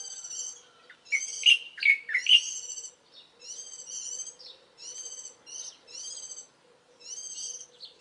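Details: Early-morning birdsong credited to Warbling white-eye, 11 April 2012: a burst of loud bright whistles and slurs, then steady runs of thin, high, ladder-like chirps about twice a second.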